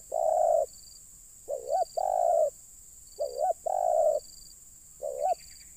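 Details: Spotted dove calling during luring of wild birds: a long coo, then repeated pairs of a wavering short note and a drawn-out even coo, with a faint high tone switching on and off and a brief high chirr near the end.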